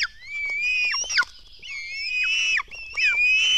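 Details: Black stork chicks calling while being fed at a nest in Latvia on the morning of 24 June 2016: thin, whistled squeals that rise and then plunge at their ends, several callers overlapping.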